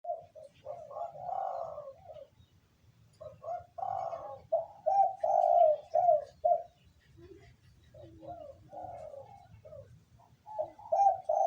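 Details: Local wild spotted dove (terkukur) calling in the 'kuk 2' style: mellow, hoarse cooing phrases of several notes, in bursts separated by short pauses, over a faint low background rumble.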